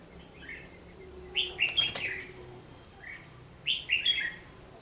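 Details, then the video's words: Red-whiskered bulbul recorded during fight trapping on 14 December 2015, giving two loud, rich whistled phrases of quick slurred notes about two seconds apart, with a soft lead-in note and a sharp click in the middle. "Bẫy đấu chim chào mào"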